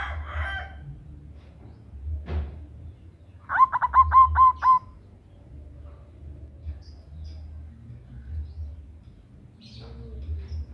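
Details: Female local zebra dove calling a male as a lure: a single loud burst of five or six quick low coos mid-way, with faint scattered noises and a low background hum around it.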